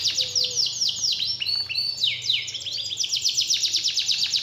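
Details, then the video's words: Canary song played to provoke a lazy canary into singing actively again; bright downward-sweeping whistled notes in quick succession, then a rapid buzzy trill held to the end. "Pancingan Burung Kenari Males Bunyi Agar Gacor Lagi"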